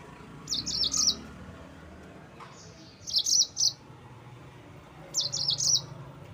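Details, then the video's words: Yellow-fronted canary song used to goad rivals: three short bursts of quick high twittering notes, each under a second, spaced about two seconds apart over faint background hiss. "Mozambik Gacor NGEROL Terbaik untuk Pancingan bikin Lawan Naik Emosi"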